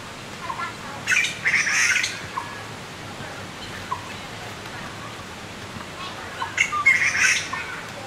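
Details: Growing Taiwan blue magpie young at Yangmingshan's Qianshan Park, Taipei, keep begging while the parents search for food. Two spells of loud, grating, noisy calls are separated by several quiet seconds of background hiss.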